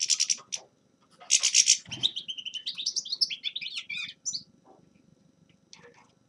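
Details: Grey-crowned goldfinch mixing harsh, buzzy bursts with a rising and falling run of clear twittered notes, then fading to soft scattered chips.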